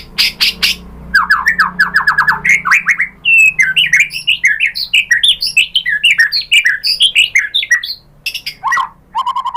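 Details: White-rumped shama song played to stir other shamas into answering: opening chips, a descending series of rapid slurred notes, then a long, dense stream of varied whistles and warbles, ending with short trills.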